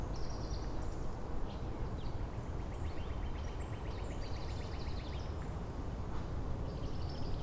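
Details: Northern Cardinal in Angrignon Park on March 19, one of several neighbouring cardinals trading song variants; a fast run of about twenty short, evenly repeated whistled notes, with higher chirps from other small birds and a steady low rumble.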